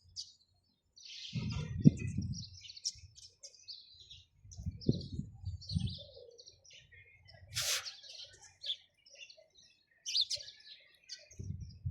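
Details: Chirping sparrows, irregular high tweets and twitters broken by several low muffled thuds and one sharp burst of noise midway.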